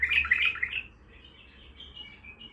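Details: Baghdadi-type bulbul opening with a loud burst of fluty, tumbling notes that quickly fade into soft, thin twittering against a faint hum.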